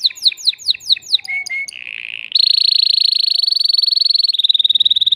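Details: Caged male canary, excited and singing to rouse a female for breeding, runs quick downslurred notes into a short whistle, then long rolling trills held for several seconds.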